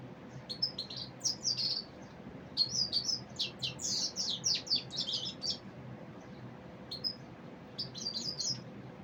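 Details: Common Iora, called Saira in Urdu: dense bursts of high, thin chirps and twittering notes in rapid clusters, pausing briefly, then resuming with a few scattered chirps over a steady low hum.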